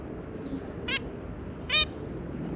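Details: Zebra finches, parents with three juvenile babies: two short nasal harmonic call notes, the second louder, over a low background hum.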